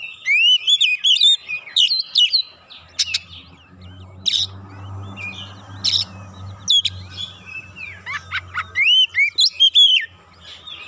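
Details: Oriental magpie-robin (kacer) singing as a lure to excite birds: bursts of rich whistles and scratchy chatter separated by short pauses, over a low mechanical hum in the middle section.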